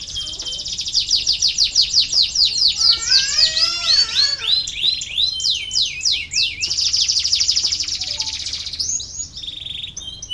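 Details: Canary song used as a prompt for lazy canaries to start singing: long run of rapid high notes, a section of warbled sweeps, then a sustained rolling trill and brief whistles.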